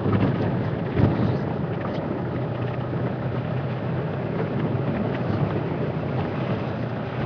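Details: Continuous rumbling engine noise from a drive on the afternoon of February 10, 2011, a broad steady roar with no animal calls standing out.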